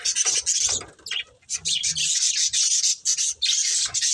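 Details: Pet budgerigar breeding pair giving rasping, scratchy chatter in quick bursts, a short quieter gap near one and a half seconds, faint low rumble beneath.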